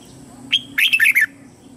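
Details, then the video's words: Red-whiskered bulbul acting as a lure bird, calling wild birds to come and fight: one short whistle, then a fast bubbling cluster of loud, slurred chirps. "Chào Mào Mồi Hót Gọi Bổi Về Đấu / Chào Mào Hót Đấu chim Trời"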